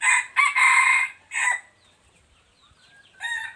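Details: Crow of a three-year-old red junglefowl, 26 January 2023: choppy harsh syllables, then a long strained note, a shorter separate note and, after a pause with faint bird chirps, the start of another rough note.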